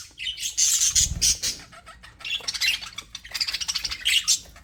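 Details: Happy budgerigars in an aviary chattering nearly continuously, with rapid high squeaky chirps and scratchy warbled notes in overlapping flurries and a brief low rumble early on.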